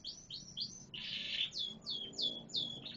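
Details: Brief canary song: quick slurred notes, a dense buzzy roll in the middle, then a string of downward-sweeping chips repeated in quick succession.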